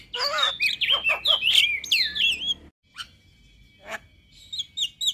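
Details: Male white-eyed Javan myna (jalak kebo) singing, a sound meant to set other mynas singing: harsh broadband bursts and warbled whistles with looping high notes, then a pause and a few scattered sharp notes.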